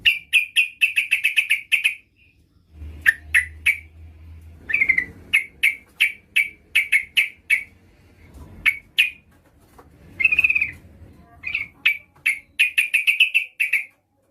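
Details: Female yellow-vented bulbul calling to attract a male: long runs of bright, bubbly chirps repeated rapidly, broken by brief pauses and a short low hum, then resuming in fast clusters.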